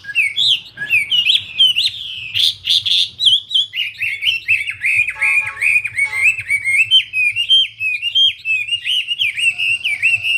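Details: A persistent Wambi song of rapid whistled chirps and slurred notes, packed tightly for ten seconds, with brief sharp clicks and a short burst of lower tones midway; faint hum underneath.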